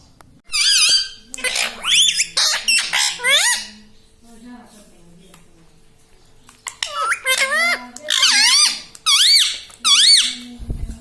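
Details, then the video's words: Pet ringneck parrot indoors, kept in a small room, uttering repeated high, warbling word-like calls with rising and falling tones in several bursts, a quiet pause in the middle, and faint human voices low in the background. "parrot talking everything"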